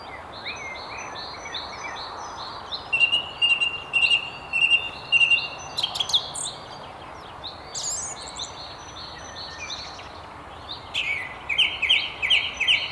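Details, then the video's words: Song thrush singing from a treetop by the River Tyne near Haddington: bursts of rapidly repeated high chirping notes, each phrase reiterated several times, separated by brief pauses, with faint distant birds and outdoor hiss. "Song Thrush"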